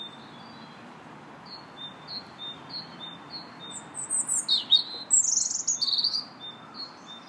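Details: Park robin song recorded 2 March: first a background bird repeats short high notes about once every half second, then the robin bursts in with a fast, high, trilling warble that rises and falls for about three seconds.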